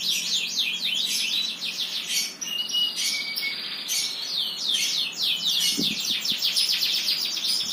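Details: Continuous energetic birdsong of fast, high, down-slurred chirps in rolling bursts, with short whistled notes and a couple of faint low knocks.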